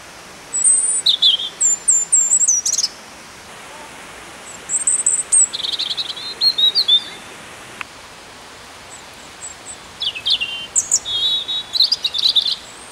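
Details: European robins in full song at Peasholm Park, Scarborough: high, thin warbled phrases of trills, sweeping whistles and quick twittering notes, delivered in three bursts separated by short pauses, over a quiet background.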